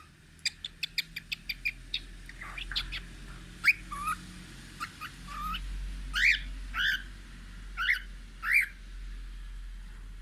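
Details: Cockatiel singing as it looks out the window: quick rapid ticking clicks at first, then spaced whistled chirps and rising warbled notes every half second or so, over a low steady background hum.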